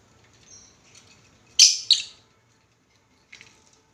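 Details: A pet lovebird gives two loud, harsh, high chirps in quick succession, then a softer chirp about a second and a half later; faint squeaks and a person calling it to eat beforehand.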